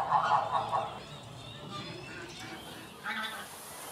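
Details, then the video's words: A Tundra bean goose at Oelemars gives a quick run of three or four nasal honks near the start, then one more honk later, over low background noise. "Toendra Rietgans"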